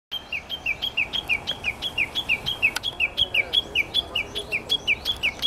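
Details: Japanese bush warbler giving its tani-watari call sequence, filmed with a shaky handheld camera: a fast, steady run of paired notes, each a high flat whistle followed by a short downslurred note, about three pairs per second throughout.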